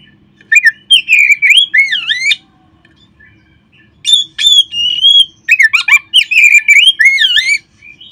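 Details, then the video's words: Song of an Oriental magpie-robin, played to get kept birds singing: bursts of loud looping whistles and sharp chirps in phrases about two seconds long, separated by short silences, against a clean quiet background. "perangsang terb4ik jadikan Kacer Anda nge-play gacor seketika."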